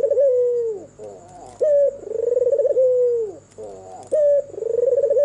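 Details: At night an albino red-eyed white turtle dove coos. A sharp opening note leads into a throbbing trill and a drawn-out descending tail. The phrase repeats twice in quick succession against a faint high electrical whine.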